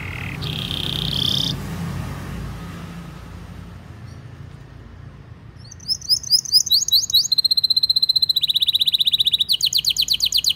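A canary sings high, bright phrases: brief whistles at first, then fast repeated trills and rolling tours of sharp notes, several per second.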